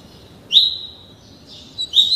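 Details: Thirty-day-old coleiro, a caged double-collared seedeater learning the tuí tuí Alcântara style of song, sings two drawn-out steady high whistles, each opening with a sharp upward flick.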